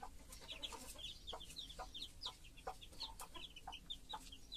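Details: A broody hen, one that raises chicks even if they are not her own, with her brood. Scattered high, descending chick cheeps alternate with short, muffled maternal clucks.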